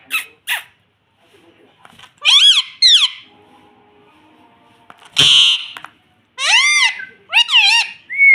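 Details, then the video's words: Young captive Indian ringneck parrot producing harsh, ringing speech-like syllables in clusters, separated by quiet gaps with faint indoor noise and one loud clattering burst. "Indian Parrot talking || baby parrot sound || parrot talking || mummy bolne wala tota"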